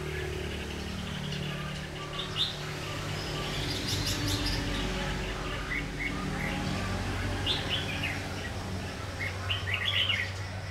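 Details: Decoy red-whiskered bulbul singing during trapping to provoke rival birds to fight; scattered short chirpy warbled phrases spread across the recording over a steady low hum and outdoor noise.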